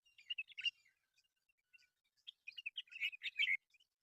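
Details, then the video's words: Myna birds at a local nature reserve chatter in two bursts of mixed whistles and rasping, scratchy notes separated by a few quiet chirps. "mayna birds!"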